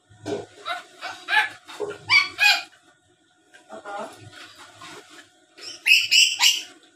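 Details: Black-capped lory kept as a lure bird that chatters and mimics speech, delivering bursts of harsh, raspy screeches in quick irregular series, with quieter throaty chatter between and a loud pair of grating shrieks at the end.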